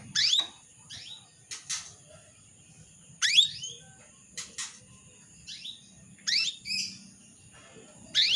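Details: Female canary calling the male as a singing lure, giving a busy series of bright, upslurred chirps about every second, varying in loudness, with a steady high whine in the background.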